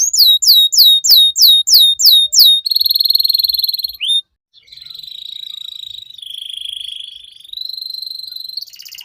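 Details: Young canary in a long, lively training song: a series of looping downslurred notes, then sustained buzzy rolls at shifting pitches after a short break.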